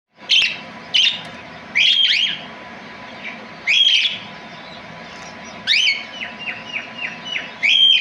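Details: Parrot calling: shrill, rasping screeches at irregular intervals, then a string of short, sharply descending whistled notes, over a steady low hum.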